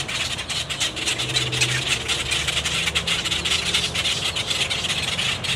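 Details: Female boat-tailed grackles in their nesting ground, uneasy at an intruder, give rapid, harsh, dry chucking clucks several times a second, with a low engine hum underneath.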